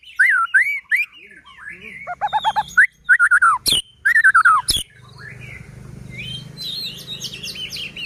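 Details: White-rumped shama in full, vigorous song, used as a lure to get other shamas singing and agitated: loud curved whistles, rapid stuttering note bursts and sharp clicks, ending in a softer run of high twittering.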